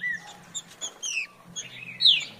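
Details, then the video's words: Green-winged saltator in farrapo song: scattered short high whistles and chips, building to a louder, bright, downward-slurred phrase near the end. "Trinca Ferro Farrapo"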